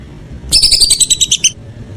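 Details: Whistling duck calling in the evening: a single burst of about ten rapid, clear whistled notes lasting one second, bright and doubled in tone, set in an otherwise quiet background.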